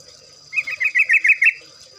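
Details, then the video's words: Yellow-vented bulbul (trucuk) giving a brief rapid song phrase: about seven quick, bubbly notes that climb slightly in pitch over one second. "pancingan trucuk agar bunyi, trucukan ropel, trucukan gacor"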